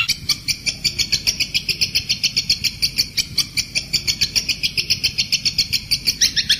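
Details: Kuntilanak bird in a clear tutor recording for training cage songbirds such as long-tailed shrike, white-rumped shama and magpie robin; high, sharp chips repeated quickly, about five a second, in a steady chattering run, with a faint low hum beneath.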